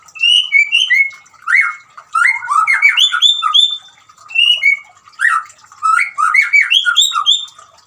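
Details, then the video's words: Singing white-rumped shama, used as therapy for a silent caged shama: bursts of clear whistles mixed with fast scratchy trills and chatters, separated by brief gaps. "suara gemricik air dan siulan murai batu cocok buat terapi murai macet bunyi"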